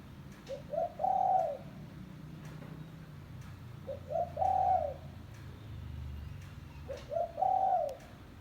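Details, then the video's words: Spotted dove, village bird, calling as a lure for trapping: three evenly spaced phrases of two short introductory notes and a longer low coo, about three seconds apart, with a low hum beneath. "Suara Burung Tekukur Kampung - Suara Panggilan Pikat Terkukur"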